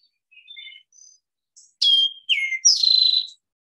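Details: Eastern towhee (Pipilo erythrophthalmus) singing its clear 'drink-your-tea': two sharp, falling whistled notes then a ringing buzzy trill, preceded by a few faint high chirps.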